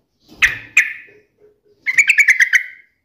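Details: Yellow-vented bulbul taunting a rival: two sharp, loud chirps, a brief gap, then a fast run of bright, bubbling notes on a steady pitch.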